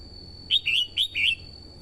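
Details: A female red-whiskered bulbul sings to excite the male and draw in wild birds. Four quick clear whistled notes come in a tight run, alternating higher and lower, with a steady faint high tone behind them.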